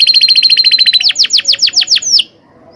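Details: Canary song used as a training tutor: a fast even trill of short repeated notes, then slower loud downward-sweeping notes, ending with one rising slurred note and silence.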